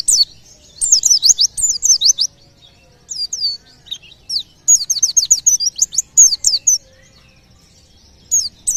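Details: White-eye song believed to lure or provoke other nearby birds into calling: rapid high chirping phrases of sharp descending notes, tumbling in dense bursts with a short pause mid-clip before resuming.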